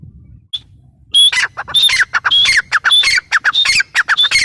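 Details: After a moment of near silence, a grey francolin bursts into shrill, grating notes repeated in quick succession, each a sharp squawk followed by a lower rasp.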